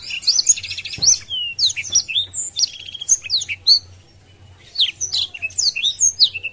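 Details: Caged Blackthroat in full 'gacor' song with wings open, provoking rivals: rapid varied high whistles, sweeps and short trills, one loud click near the first second, a brief pause before the song resumes, low hum beneath.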